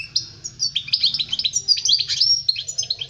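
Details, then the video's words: European goldfinch singing for young birds to learn from: a dense, fast run of tinkling, liquid twitters and short slurred notes, pouring out almost without pause over a soft low hum. "Chant chardonneret pour les jeuns لتعليم صغار طائر الحسون"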